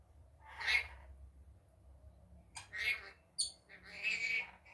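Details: Daytime calls from a pet rainbow lorikeet: a single shrill screech, then after a pause a quick series of sharp, piercing squawks and a longer raspy note at the end.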